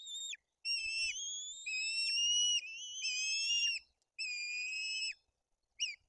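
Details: At a white-tailed eagle nest in Bory Tucholskie, Poland, two chicks are fed fish while the older one behaves aggressively; long, piercing whistled calls, slightly rising and ending with a downward flick, given in a near-continuous series of five.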